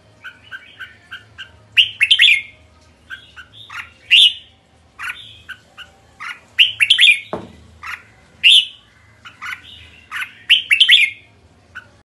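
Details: Red-whiskered bulbul calling repeatedly: lively, slurred whistled phrases every couple of seconds, bright and clear, with a brief thump partway through.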